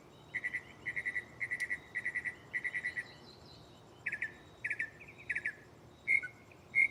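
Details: Mockingbird at night, in a tree right next to the recorder, shifting through its catalog: clusters of quick repeated chirps in short even groups, then sharper single notes and brief whistles.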